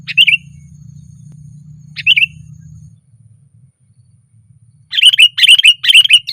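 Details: Loud song of a sooty-headed bulbul on a branch: two single slurred chirps about two seconds apart, then a quick series of bubbly, bright notes; low hum early on.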